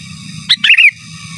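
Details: Sooty-headed bulbul master song in 'gacor giras' and 'menggaruda' style: a brief sharp chirp followed by a quick liquid warble that slides downward, over faint low background rumble.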